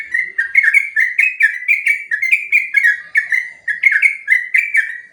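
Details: Sooty-headed bulbul long 'ropel' song, master recording for training other birds: continuous chain of liquid, slurred whistles repeated rapidly through five seconds, even in pitch and loudness.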